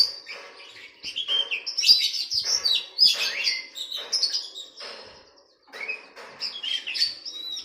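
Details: Captive oriental magpie-robin training song played to get a caged bird singing: loud, varied warbling with sharp chirps, trills and whistled slurs in bursts of one to two seconds, separated by brief pauses, indoors with little background noise.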